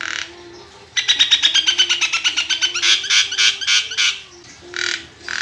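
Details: Nias hill myna singing a long rapid stuttering rattle of harsh notes that swells into loud buzzy bursts, followed by a pause and two more rasping squawks.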